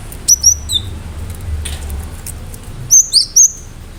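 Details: Cinereous tit with sharp singing bursts: a couple of high, thin whistled notes sliding downward, a pause, then a brighter triple of piercing whistles, all over soft low hum.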